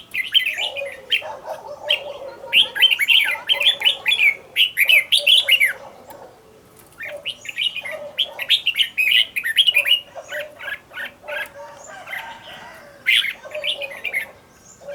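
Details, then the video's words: Caged red-whiskered bulbul, trained as a decoy to sing fast and fiery, pours out long runs of rapid chirping and warbled whistles with a lower accompanying tone. There is a quieter lull midway, then the song resumes. "Cách luyện chào mào mồi - Hót hay nhanh lửa, Căng"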